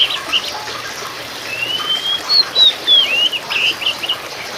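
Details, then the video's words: Oriental magpie-robin, subspecies musicus (kacer poci), gives one long flowing phrase of sweet whistles that glide up and then drop, followed by short choppy notes, against a constant trickling background. "TERAPI KACER POCI TERJITU GACOR!!!"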